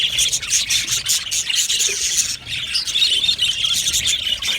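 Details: Budgerigars in a colony aviary chirping and squawking in a busy chorus, high twittering notes overlapping steadily, with one short lull near the middle.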